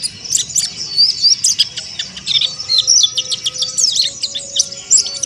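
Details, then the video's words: Oriental white-eye (pleci monty) in the harsh, rapid 'ngeriwik kasar' twittering style: a fast stream of high, thin chirps and sharp downslurred notes with short bursts and brief pauses, plus faint steady tones in the background. "TERAPI PLECI MONTY AGAR NGERIWIK KASAR"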